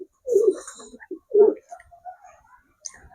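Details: Domestic pigeons, a flock with grown young, released outside and feeding together on wheat and maize, give low, throaty coos in two rolling bursts about a second apart, with softer murmuring coos and faint chatter between them; one bird calls a lot.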